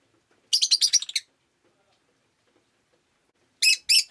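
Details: Rosy-faced lovebird kept as a pet, on a rainy day, gives a fast, chattering string of shrill chirps, falls quiet, then adds two loud separate chirps.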